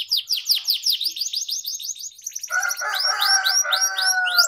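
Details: Canary training song aimed at young birds: rapid repeated rising chirps and a short trill, joined midway by a lower steady warbling tone with layered harmonics beneath the high notes.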